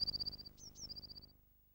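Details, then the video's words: Eurasian Blue Tit alarm call, a clue to a nearby sparrowhawk in Britain: a very high, thin, rapid trill of tiny notes, broken by two quick downslurred chips, then trilling again and fading. "the distinctive alarm call of a blue tit is an excellent clue to the presence of a sparrow hawk so look up whenever you hear this"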